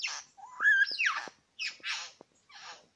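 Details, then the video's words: Two male Superb Lyrebirds at Lookout Point, New England National Park, in a close encounter; a varied phrase of rising whistled slurs and loud buzzy bursts, then further harsh rasping notes with brief clicks between. "Lyrebird encounter at Lookout Point"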